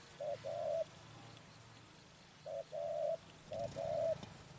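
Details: Three two-part phrases from a spotted dove recorded for trapping, each a brief low note followed by a longer level coo, spaced about 1.5 seconds apart. Constant background hiss and low rumble are present.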